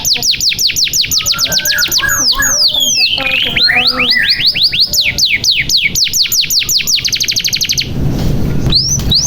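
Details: Lively canary song used to get young or silent canaries to sing: long runs of rapid repeated sweeping notes, a brief jumble of mixed chirps and buzzes, then more fast sweeps before a short noisy pause.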